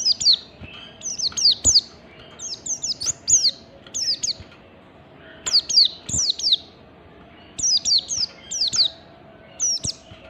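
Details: Oriental white-eye performing the standard ngalas song used to draw song from other white-eyes: rapid high, descending chirps in tight bursts of three to five, regularly repeated, with a faint steady hum behind.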